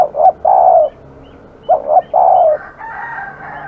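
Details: Spotted dove from a village, said to be aggressive, giving two cooing phrases of stuttered notes and a long low coo, followed by a steady, higher, droning call from another bird.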